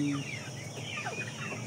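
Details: Brief burst from a pen of aseel, shamo and Saigon ganoi chickens: a short steady tone at the start, then several high falling chirps and peeps over low hum.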